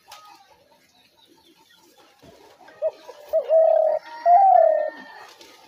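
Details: Spotted dove cooing used as a trap lure: a short note, then two long humming coos, the latter dipping slightly, with faint whistles and noise before.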